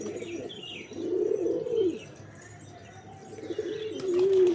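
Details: Pigeons giving deep, rolling coos that swell and fall, two long phrases with a pause between, plus faint chirping of small birds and a light jingling sound.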